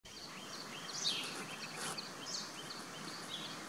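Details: A Wire-tailed swallow (Hirundo smithii) at Amboli, Maharashtra, India, in September 2015 gives short, high twittering chirps scattered through the clip, over a steady hiss of outdoor background noise.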